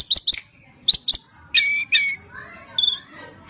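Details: Tledekan gunung, a song used for luring other birds, giving paired sharp ticking notes, then two longer buzzy harmonic notes and a final clipped whistle, with faint voices in the background.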